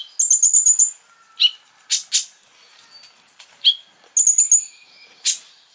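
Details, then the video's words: Crimson sunbird in full lure song meant to anger other sunbirds: rapid high trills break into a steady series of short sharp chips and thin slurred whistles, then another trill and a final chip. "PANCINGAN KONIN GACOR FULL BUKA PARUH BIKIN KONIN EMOSI KOLIBRI LAIN !!"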